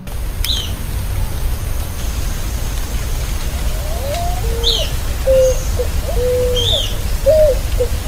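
Picazuro Pigeon giving soft, low, hooting coos in short separate notes about every two seconds, over a steady low rumble with faint higher chirps from other birds.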